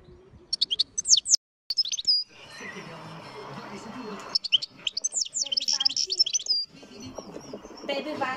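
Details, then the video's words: European goldfinch song: bright, rapid twittering bursts of tinkling high notes in short runs, the longest near the end, over a steady rushing background noise between phrases. "Chardonneret beautiful singing"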